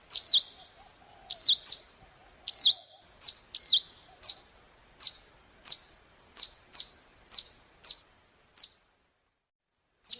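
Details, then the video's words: Mountain prinia song played as a lure to set birds singing back; a run of about fifteen sharp, high, downslurred chips, often doubled, spaced under a second apart, then a pause before a final note. "Pancingan Ampuh Agar Ciblek Gunung Ikutan Bunyi Gacor Sahut Sahutan"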